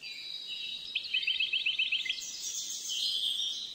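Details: Goldfinch song from a captive-bred bird hatched 10 June 2013, Moroccan father and Algerian mother: a fast rattling trill of short bright notes about eight per second, followed by a high buzzy twittering phrase.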